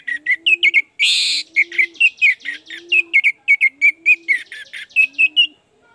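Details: Loud, nonstop Orange-headed thrush song for luring a reluctant bird: quick tumbling chirped phrases with a brief harsh burst, while a low cooing note repeats roughly every second beneath.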